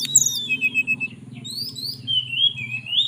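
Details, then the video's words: Relaxed fluting song of a caged mountain tailorbird from Purworejo, Central Java, calling for a female. Long, sliding whistles fall and then rise again over a low background hum. "Tledekan Gunung Gacor Nyuling Panggil Betina"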